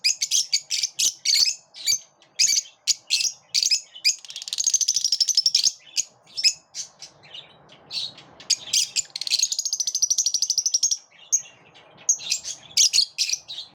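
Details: Lovebirds keep up lively morning chirping: many short sharp high notes in quick succession, interrupted by two long fast buzzing chatters, the second near the middle, then more chirps.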